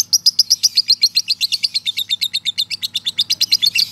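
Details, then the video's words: Male lovebird performing a long ngekek trill as master audio for training birds: crisp, shrill notes repeated about four per second in an even, unbroken run over a faint low hum. "masteran lovebird jantan ngekek panjang"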